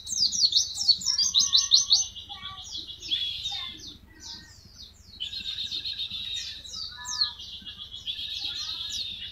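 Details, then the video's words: White-eye tembakan song used as masteran tutoring material: dense, very high rapid trills and chattering phrases, loud for the first two seconds, dropping briefly around four seconds, then resuming in repeated quick twittering runs with lower chirps mixed in. "MASTERAN TEMBAKAN BURUNG PLECI"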